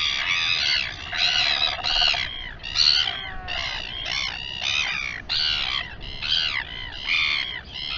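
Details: Royal albatross at the Taiaroa Head breeding colony, Dunedin, New Zealand, live camera: rapid series of rough, croaking, downward-arching notes, roughly one per second, uneven in spacing.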